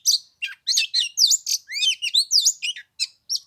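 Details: Oriental magpie-robin in 15-degree cold at Lunar New Year, singing clear, upslurred and downslurred whistles mixed with chirps, roughly one note every quarter second.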